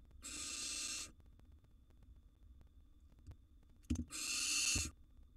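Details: Young wild barn owl siblings in a nest box vying for food: two drawn-out rasping hiss-screeches, broad and noisy, separated by a quiet gap with a few knocks and scratches.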